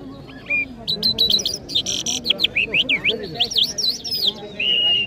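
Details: Mashhadi jal singing in Kabul: rapid buzzy bursts followed by a string of looping, rising and falling whistled notes, with a last drawn-out whistle and quiet talking behind.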